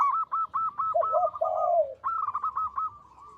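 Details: Zebra dove of local stock singing actively, loud and long: evenly spaced clipped notes, two lower rolling coos and a sustained purr, then another string of staccato notes.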